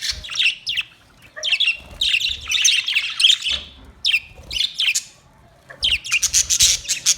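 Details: Colourful Australian parrots chattering with high squeaky chirps and scratchy calls in quick bursts, several overlapping, separated by brief pauses, with low thumps beneath.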